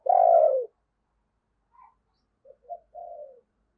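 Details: Spotted dove used as a lure, crowing to attract wild doves: one loud long husky coo, a pause, then a soft quick pair of notes and a quieter drawn-out coo.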